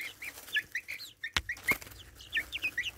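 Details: Young chicks roughly 4.5 weeks old beside a phone camera: rapid high peeps, some sliding down and some rising, about five or six per second, with two loud taps in between.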